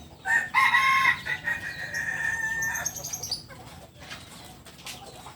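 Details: Kukuak Balenggek rooster from Solok, West Sumatra, giving a sustained harmonic crow with a strong opening note, then a long wavering tail that fades into background noise after about three seconds.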